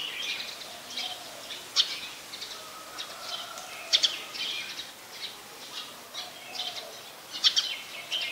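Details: Brown-throated sunbird (Anthreptes malacensis) in Ubon Ratchathani, Thailand, 2 January 2021, giving sharp, high chips at irregular intervals, a few seconds apart, over a constant hiss of insects or distant birds.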